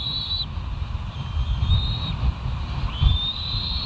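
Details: Bald eagles at the West End nest, recorded by a nest cam on 18 July 2023 at 05:02; thin, high whistled notes that slide upward in a series, over a steady low rumble of wind or distant traffic.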